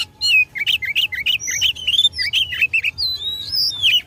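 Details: Fighting-mode song of an Oriental magpie-robin provoking opponents: quick chain of bright, bouncy whistled notes and slurs, dense and energetic, ending with longer clear rising whistles.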